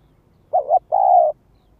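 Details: Spotted dove calling as a lure bird, one phrase of a brief wavering double note followed by a drawn-out, even, mellow coo.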